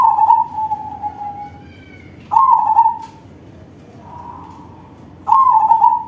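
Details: Crossbred zebra dove in loud song, a lure for other doves: a long falling trilled coo, then sharp-edged rolling phrases about three seconds apart with a softer murmured trill between them.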